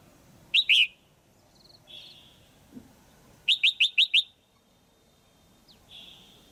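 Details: Female red-whiskered bulbul call used to stimulate a male or for pairing: a bright double chirp, then a rapid run of five sharp chirps, with a softer thin whistle between and after.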